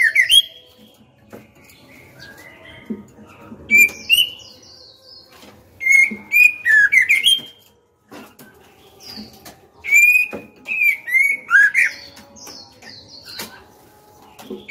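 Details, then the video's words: Female white-rumped shama singing to coax young and adult males into song: bursts of varied whistles, chirps and slurred rising notes in groups, with pauses of one to two seconds between bursts. "Murai batu betina gacor/lửa mái hót cực hay, dụ bổi mau mở mỏ, dụ trống hót đấu ngay!"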